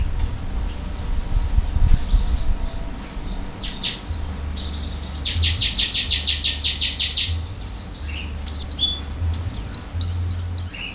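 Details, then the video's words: Oriental white-eye song heard more softly: high thin notes, a rapid even buzzing trill of repeated pulses mid-clip, then sharp scattered chirps, over steady low background hum. "pleci gacor isian buka paruh"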